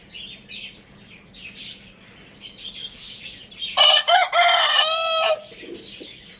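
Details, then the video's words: After a few seconds of light bird twittering, a Lohmann Brown rooster crows once: broken harsh notes, then a long even tone ending in a slight downward slide. "Roosters Crowing Sound Effect"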